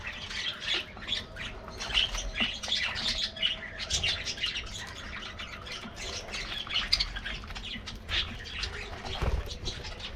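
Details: Colorful budgerigars in a colony getting their morning diet treat; dense overlapping chirps and squawky warbles fill the air continuously, many birds calling at once, with a low background rumble.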